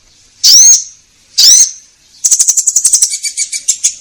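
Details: Orange-headed thrush giving two strong rising whistles followed by a quick, rattling series of high chattering notes, a song meant to prompt caged birds into singing.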